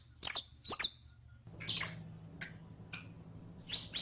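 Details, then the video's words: Saffron finch, or canario criollo, recorded for teaching another bird to sing: two loud sweeping chips, then a run of thinner high tweets and a closing double note. "ENSEÑA A CANTAR A TU CANARIO CRIOLLO CON ESTE AUDIO DE 15 MINUTOS [SICALIS FLAVEOLA]"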